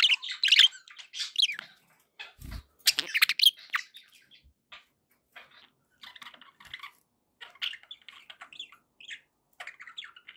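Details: Contented pet budgies: loud scratchy chirping at first, then fading into softer, sparse twitters and clicks.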